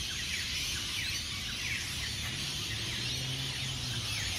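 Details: Hundreds of rainbow lorikeets around their Norfolk Pine roosts at Burleigh Heads Beach, Queensland, before sunrise: massed high chatter with quick falling squawks, plus a low steady tone underneath.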